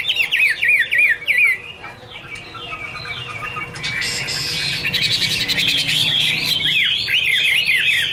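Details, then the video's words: Chinese hwamei giving a fast string of hooked whistled notes, a quieter pause with rustling, then a long dense run of rapid, overlapping whistles over a background hiss. "Birds Garrulax canorus: Singer yellow mouth - wonderful birdsong"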